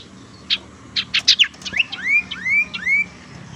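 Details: Tailorbird lure sound for attracting birds or prompting reluctant singers: a few sharp high clicks, then a series of clear upslurred whistles, each rising and repeated about three times, with a faint background hum.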